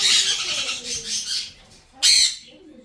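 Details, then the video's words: Two young blue-and-gold macaws during hand-feeding at a Florida bird store: a long, harsh, raspy squawk lasting over a second, then a shorter hoarse burst after a brief pause. "Blue & Gold Wing Macaws - Baby Parrot Feeding"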